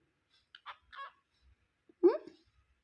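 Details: A male pet cockatiel talks, saying "What u doing?" in a few short, raspy speech-like syllables, then gives a louder, harmonic burst.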